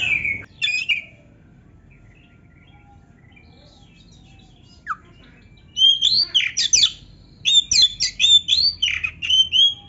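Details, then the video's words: Oriental magpie-robin singing, a recording meant to excite reluctant birds into answering a rival; two short bright phrases, a long pause, then rapid bursts of high sharp chirps and whistles in quick succession. "TERAPI KACER GACOR DONGKRAK BIRAHI DAN EMOSI BUAT KACER MALAS BUNYI"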